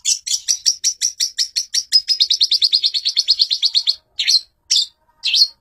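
Long-tailed shrike: sharp high chips about three per second quicken into a fast rattling trill, then three scratchy bursts. No other sounds.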